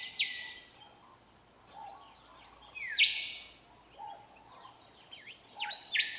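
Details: In the Australian outback, a Willie Wagtail sings for a mate and to establish territory: brisk, sweet chattering phrases about every three seconds, sliding high notes over a steady hiss.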